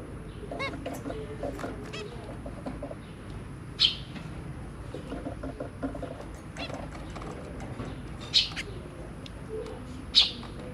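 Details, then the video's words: Zebra finches, a pair with their three babies, give short, high, nasal calls, a few louder chirps over steady faint chatter and hiss; recorded 23 January 2022. "Zebra Finch"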